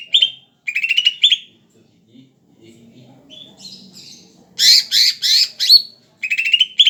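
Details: Greater green leafbird, described as very tame, singing busily. Buzzy rolling trills recur between pauses, then come four loud harsh rasping bursts and another trill. Faint low murmuring fills the gap.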